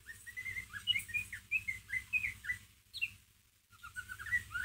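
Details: Ngeriwik twittering from a white-rumped shama, meant as a lure for a pet bird: a quick run of short warbled notes repeating, a brief pause, then more rising chips, with a low background hum.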